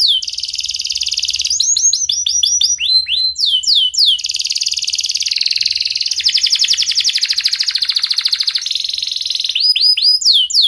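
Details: Canary in full song, played to prompt lazy or silent canaries to sing: sharp, fast tweeting phrases, steep downward-sweeping whistles alternating with long rapid trills and buzzy rolls, continuous and loud throughout.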